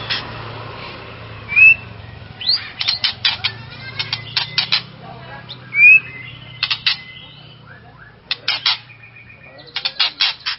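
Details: White-rumped shama song to stir up another shama: scattered sharp whistles and harsh buzzy bursts separated by gaps, over a low background hum.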